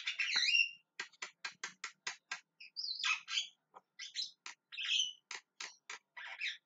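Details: Javan myna calling with a varied sequence: a slurred, whistled squawk, a rapid row of sharp clicking notes, then a mix of grating squawks and further clicks.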